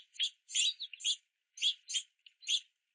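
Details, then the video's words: Several juvenile house finches begging for food at a backyard platform feeder in the rain, chirping and flapping wings at parents; a rapid run of bright, buzzy chirps, about a dozen notes in three seconds with short gaps. "Multiple Young House Finches In The Rain Begging For Food at The Feeder"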